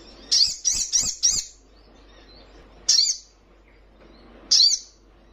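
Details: Energetic young sunbird, singing to provoke rival birds: four quick high chirps in a row, then two further single sharp, high notes spaced about one and a half seconds apart.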